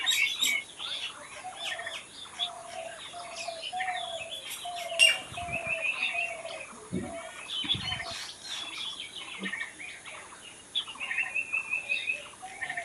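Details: A mixed chorus of wild birds singing outdoors, with a steady series of short mid-pitched whistles and many overlapping high chirps, trills and twitters, plus a few low thuds.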